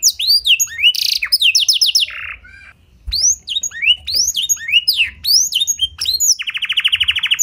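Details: Canary singing blackthroat-style phrases as a lure for other canaries: whistled sweeps and a buzzy burst, a brief pause, more rising notes, and a rapid rolling trill at the end.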